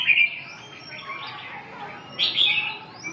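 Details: Red-whiskered bulbul song with a bright whistled phrase at the start, a softer warbling middle, and a second loud slurred burst after a pause. Faint low hum underneath.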